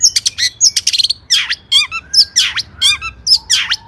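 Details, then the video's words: Long-tailed shrike in busy 'gacor' song with rich 'isian' fill. Quick chips and trills give way to loud descending raspy sweeps, mixed with short warbled notes and thin drawn-out whistles. "Burung Cendet Gacor isian mewah"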